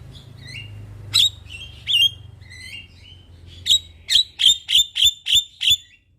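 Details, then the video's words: Javan myna singing actively in the morning, recorded as a lure for training birds: a few whistled phrases and sharp notes, then a rapid, even series of about seven loud, harsh, ringing chirps. A low hum runs underneath. "Jalak kebo gacor Masteran dan pancingan Burung Jalak Pagi Hari - Panggilan Jalak Kebo"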